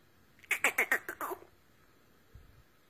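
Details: Black francolin, the Sindhi teetar, calling in a burst of about seven harsh, buzzy notes that run together and then trail off, followed by silence and a faint low thump.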